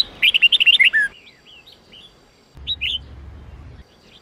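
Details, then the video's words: Red-whiskered bulbul of the Sông Kôn line, song for voice training in the 8-9-10 note style: a rapid string of about nine bright, bouncing whistled notes falling to a lower slur, soft trailing notes, then a brief two-note reprise over hum. "Luyện giọng chào mào hót hay âm 8-9-10"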